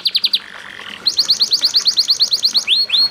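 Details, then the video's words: Canary singing a training song meant to prompt other canaries to sing, with murmuring water: a rapid buzzy high trill, a pause, then a fast run of repeated bright notes ending in rising whistled sweeps. "MASTERAN Kenari GACOR CENGKOK MERDU Di Sertai GEMERICIK AIR Cocok Buat TERAPI PANCINGAN RAJIN BUNYI"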